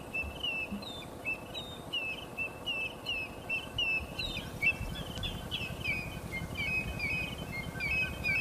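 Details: Speckled mousebirds on open savannah plains in eastern Kruger National Park, South Africa, in October: a steady run of short, high twittering chirps from several birds overlapping at about one note a second, over a low rumble of wind or engine noise.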